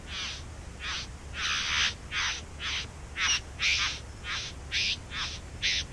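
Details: Bowerbirds singing near their nest in a back yard: loud, dense, scratchy churring bursts following one another rapidly, some drawn out and rasping, others clipped and short.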